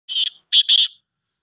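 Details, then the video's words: Black francolin (kala teetar) calling: three harsh, grating, buzzy notes within about a second, a single note then a short gap and two notes close together, with a quiet background. "Kala teetar awaz |black teetar awaz |partridge voice |teetar awaz |francolin voice"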